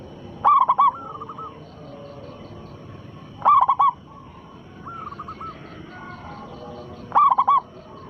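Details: A loud-voiced local zebra dove sings as a lure to provoke other doves into replying. Three emphatic stuttered coo phrases, roughly every three seconds, stand over fainter trilled cooing from nearby doves.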